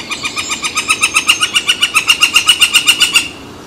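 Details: Woodpecker calling near San Francisco Bay on 18 July 2023 as a barge crosses. A loud, steady series of harsh, evenly spaced notes, about four per second, builds in strength for three seconds, then stops.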